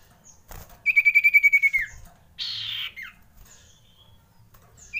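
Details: Common iora alarm, the bird frightened, used to lure others: a high pulsed whistle lasting about a second, dropping at the end, then a harsh buzzy hiss and a short downslurred note.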